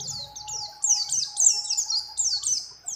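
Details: Bright high chirps from a female mountain white-eye in breeding condition calling a male, delivered in quick sliding phrases over a steady faint hum.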